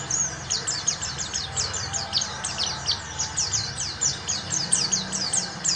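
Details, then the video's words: Oriental white-eye trigger song in ngalas style, used as material for teaching other birds: rapid, very high, thin chirps sweeping sharply downward, strung together almost without pause, over a steady low rumbling background hum. "PEMANCING PLECI BAHAN UNTUK BELAJAR NGALAS"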